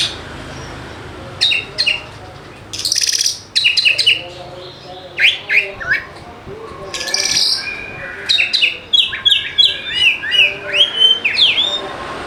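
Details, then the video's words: Oriental magpie-robin lure song meant to make lazy birds sing: loud bursts of varied whistles, rapid chirps and harsh clustered notes, building to a fast series of rising whistled phrases near the end, with steady background hiss. "PANCINGAN KACER AMPUH UNTUK PIKAT KACEER MALAS BUNYI"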